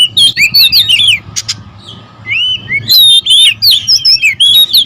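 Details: Agitated oriental magpie-robins (kacer) in territorial dispute: fast warbling whistles and a pair of sharp clicks, a quieter spell with a lone soft note, then dense overlapping whistled phrases to the end over a low hum.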